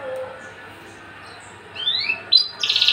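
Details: Tame, unringed male Javan bush lark kept caged. After quiet background hum, two rising whistled slurs lead into sharp notes and a dense buzzy rattle at the end.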